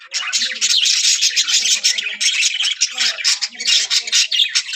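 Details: Budgerigars in a breeding colony chattering loudly and steadily, with rapid harsh squawks and chirps pulsing without a break.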